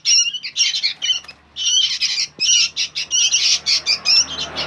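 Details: Young sooty-headed bulbuls squawk loudly in a near-continuous stream of grating, buzzy calls, pausing briefly once before resuming with rhythmic harsh bursts.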